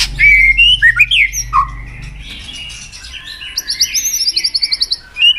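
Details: White-rumped shama, called murai batu, resumes singing. It gives a few looping whistles, then a brief pause, then a long fast series of thin high repeated notes, ending on a short whistle.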